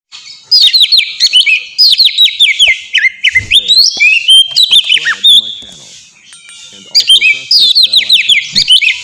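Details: Oriental magpie-robin, kept as a pet bird, singing a clear, loud 'ngeplong' song used to lure and train other birds: bursts of rapid whistled, sliding notes, fast repeated downward slurs, with short pauses between phrases.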